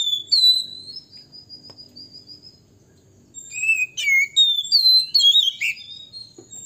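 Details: Male Oriental magpie-robin in a long, lively song meant to provoke other males into excitement: sweet high whistles, a pause, then rapid varied whistled phrases and chirps, over a faint low rumble.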